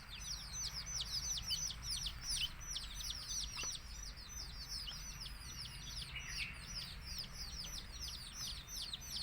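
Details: Many baby chickens chirping as their mother hen calls them to food; steady wall of shrill falling peeps from numerous chicks, packed tightly, over a low constant background rumble.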